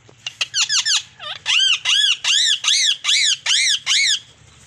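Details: Ringneck parrot, a green Indian Ringneck, calling in a series of loud, harsh, arched squawks, quick at first then steadier at about one per second, with faint low background hum.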